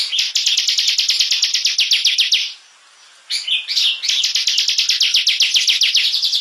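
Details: Bar-winged prinia in a training song for competition birds: a rapid, dense trill of high notes, a short pause, a warbled phrase, then the fast trill returns.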